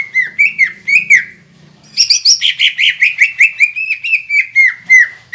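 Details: Green leafbird singing persistently, meant to spur idle or silent birds into song: several looping whistled notes, a short gap, then a dense run of fast, bright, descending chirps over a faint low hum.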